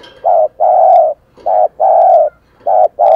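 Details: Decoy spotted dove cooing to draw in wild doves, delivering loud, mellow, low coos in pairs, a brief note then a longer sustained one, repeated steadily about every 1.2 seconds.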